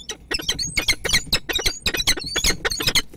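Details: Male and female peregrine falcons meeting at their nest in Kwidzyn on 29 September 2024; harsh, rapid chattering calls repeated several times a second, loud and grating throughout.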